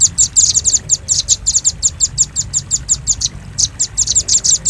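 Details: Lure sound of a velvet-fronted nuthatch for drawing in birds: continuous quick, high-pitched chipping notes in loose bursts, with a brief gap before a final dense flurry.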